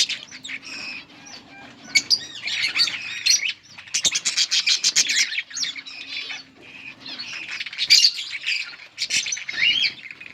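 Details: Breeding budgies feeding chicks: warbling, squeaky twitters mixed with rapid clicking runs and harsh squawks, shifting in bursts over ten seconds, a low steady hum underneath at times.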